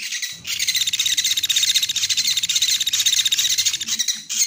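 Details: Lure recording of a woodpecker, used to draw birds in for trapping: shrill, rapid, buzzy chatter runs almost unbroken and drops out briefly near the start and end. A soft low hum sits underneath.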